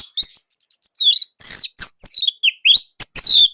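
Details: Continuous loud song of an Indonesian orange-headed thrush, a tight, unique style meant to spark other birds: quick doubled high whistles, then long rich warbled phrases with sweeping slurred notes.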